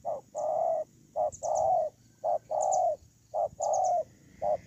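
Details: Spotted dove used as a ground decoy bird, dated 8/10/2018: low, mellow cooing phrases, each a short note followed by a longer drawn-out coo, repeated steadily about once a second, with faint high chirps in the background.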